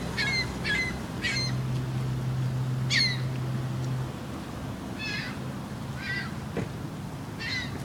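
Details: Seagulls calling on a sunny day near Quebec City: harsh, nasal, squawking calls repeated in separate bursts every second or so, with a steady low hum in the background.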